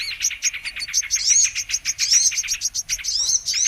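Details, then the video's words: Brown-throated sunbird (kolibri kelapa) song played as a lure for trapping birds: a fast, dense stream of high, sharp chirps and thin twitters with bright downslurred whistle notes, continuous throughout, with no other sounds. "Mp3 Pikat Burung kolibri MANGGAR/KOLIBRI KELAPA"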